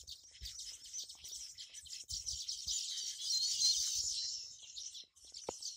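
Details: Busy Baya weaver colony at a tree with over fifty nests in the monsoon: shrill, rapid overlapping chirps swelling in the middle, with faint low rustling and a single click.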